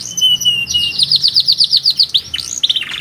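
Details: Canary singing powerfully: a thin held whistle gives way to a steady trill of bright repeated chirps, then falling slurs and a quick buzzy roll at the end.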